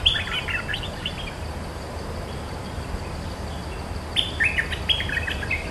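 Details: Cream-vented bulbul defending its territory against a lure recording: a short warbled phrase of quick chirps at the start, a pause of several seconds, then another bubbly phrase; soft constant hiss.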